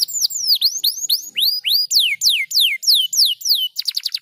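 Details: Canary song used to stimulate other canaries to sing: a series of loud, clear whistled notes sweeping downward, repeated about three times a second, ending in a fast buzzy trill.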